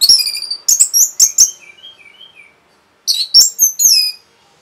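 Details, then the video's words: Rapid Orange-headed thrush song used for provoking other birds: loud, high, warbled whistles with softer, lower twittering notes trailing off, then after a pause a further burst of sharp, falling whistles. "SUARA RAPET ANIS MERAH BIKIN EMOSI BURUNG"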